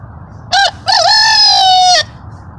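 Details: Chicken giving a loud shout while the flock enjoys a spring dust bath together: two harmonic-rich cries, a short rising note then a long sustained call of about a second, falling slightly at the end, over low background rumble.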